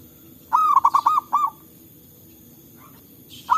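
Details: Local zebra doves calling back and forth in forest, a recording used to lure and prompt birds: a rapid stuttered series of five mellow cooing notes, then another phrase starting at the end.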